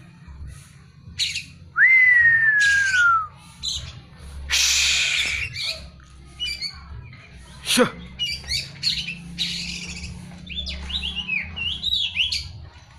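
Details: Oriental magpie-robin, a caged bird, gives a long descending whistle, then harsh rasping bursts and a sharp snap, followed by quick twittering, looping whistled notes over a low background hum.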